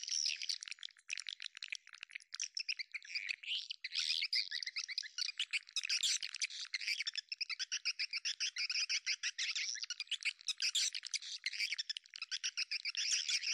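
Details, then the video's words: Lure recording of swiftlets for attracting them to a bird house: a steady stream of high, buzzy twitters and rolling chirps, overlapping and nearly unbroken throughout. "ST burung walet original !! tarikan nya joss"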